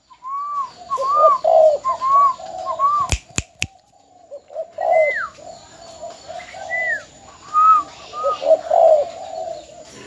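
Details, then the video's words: Caged decoy spotted dove from Ben Tre, Vietnam, filmed as a keepsake before sale: repeated low coos mixed with higher whistled arching notes, broken by a few sharp clicks midway. "Cu gáy bến tre.Chia tay mồi mỏ công( đã bán)"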